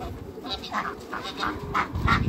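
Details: Two male and one female Pekin ducks on a waterbird farm; a few loud, raspy quacks that grow stronger toward the end, with low rumbling noise underneath.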